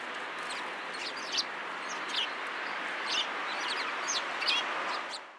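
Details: Sparrows flocking to feed at a Tenmangu shrine, 11 January 2017: scattered short, high chirps and twitters from several birds against a broad hissing background.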